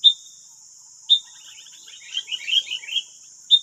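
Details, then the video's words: In West Lampung, Indonesia, wild sooty-headed bulbuls answer a decoy bird: a sharp whistled note repeats about once a second, and a burst of rapid warbling chatter follows, all over a continuous shrill insect drone. "BERISIK AJA || 9 Burung Liar Lawan 1 Pikat || Kutilang"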